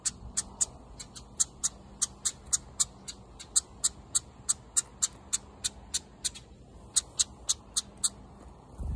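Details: House wren nestlings calling for food after losing their mother; a long, fairly regular series of crisp, high, clicking chirps, roughly two or three per second, with faint background hum and a soft rustle at the end.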